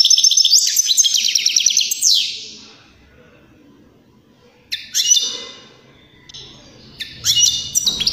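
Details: Song of a European greenfinch used to prompt other birds into song and mating; a rapid twittering phrase ending in a descending wheeze, followed after a pause by short bright chirps.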